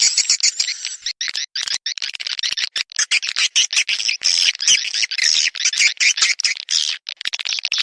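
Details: Call for attracting swiftlets: busy, shrill twittering chirps packed closely together, with short breaks, over several seconds.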